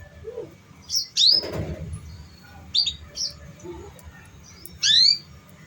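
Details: Canary sounds for prompting young canaries still learning to sing: bright, rising chirps and quick downslurred whistles in separate bursts about once a second, with a low murmur behind them.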